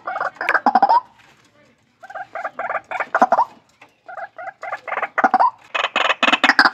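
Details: White-breasted waterhen from a captive breeding site, uttering loud throaty croaks in pulsing groups, a short lull near the second mark, then an intensifying stretch of harsher, brighter notes.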